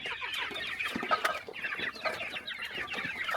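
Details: Chickens on a small countryside farm during morning feeding; a dense flock chorus of short overlapping clucks and chirps, busy and continuous, with a few louder sharp notes near the middle.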